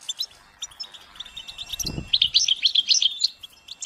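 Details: European goldfinches in collective chirping meant to stimulate males to sing: bright, high twittering notes in quick irregular bursts, denser and louder in the second half, with one low thump near the middle.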